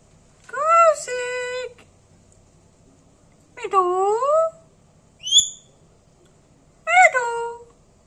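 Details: Talking pet parrot in a small room, giving four separate utterances: voiced, harmonic word-like phrases with bending, sliding pitch, plus one brief high whistled note, separated by silent gaps of one to two seconds.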